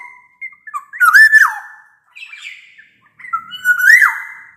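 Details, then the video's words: A black-naped oriole sings loudly, a lure song for orioles reluctant to sing, clear and bamboo-flute-like: two mellow whistled phrases swooping up then falling, with a short raspy note between. "Suara kepodang gacor ini bisa di jadikan pancingan kepodang malas bunyi"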